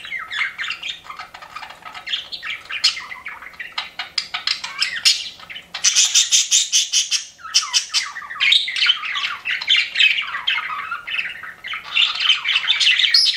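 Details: Several pet budgerigars chirping together in dense, continuous chatter: scratchy warbles, squeaky chirps and buzzy bursts overlapping, loudness pulsing rapidly throughout.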